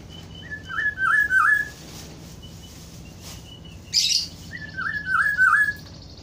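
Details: Black-throated oriole giving two fluty whistled phrases of about four slurred, wavering notes each, separated by a pause, with a brief sharp high chirp between the phrases over a steady low hum.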